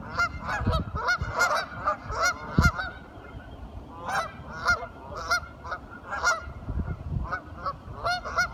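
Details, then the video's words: A group of curious ducks talking, with frequent rough honking calls repeated every half second or so and thumping low-pitched noises in between. "Duck Sounds - Curious ducks talking"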